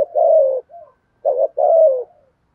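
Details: Decoy spotted dove kept for luring and training wild birds to call: a long mellow coo fading with a soft trailing note, then a short note and another drawn-out, gently falling coo.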